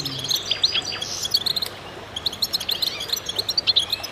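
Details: Goldfinches singing in a group: crowded bursts of high, sharp chirps and liquid twitters, a louder flurry early on, then a steady stream of quick repeated notes.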